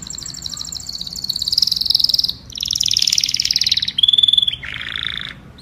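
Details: Canary singing to call the flock: a series of buzzy trills, then a pure steady whistled note, then a lower rattling phrase.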